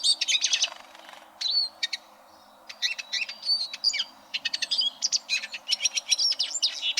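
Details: Eurasian siskin song, played for tutoring competition canaries: bursts of high, fast twittering and short rising whistles, broken by a pause of about a second before the chattering resumes more densely.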